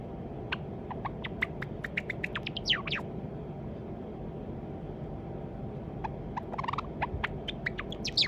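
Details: Pet white Java sparrow, probably male, practising song. Clicking notes and a couple of falling chirps are followed by a silent gap of about three seconds, then more ticking and high chirps. A low hum continues underneath.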